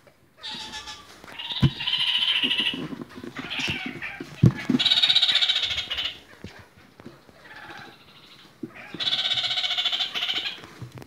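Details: Red-crowned parakeets (kakariki) of various colour varieties give bursts of harsh, nasal chattering, each one to two seconds long, separated by short pauses, with scattered clicks and knocks between.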